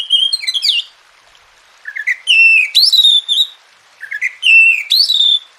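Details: Oriental magpie-robin song for tutoring birds that rarely sing. Phrases start with a few low, quick notes and build into loud whistles ending in a steeply rising slur. Each phrase lasts about one and a half seconds, with short silences between them.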